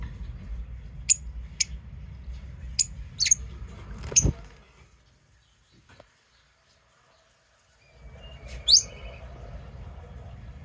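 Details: Lovebirds chirping: a handful of sharp, very brief high-pitched chips scattered over several seconds, then a near-silent gap before a final shrill chirp, with low rumbling background noise.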